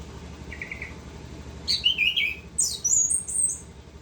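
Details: Orange-headed thrush singing nonstop in ngerol fashion. A brief soft trill is followed by loud, fast, high-pitched whistled phrases that sweep up and down, with a steady low hum beneath.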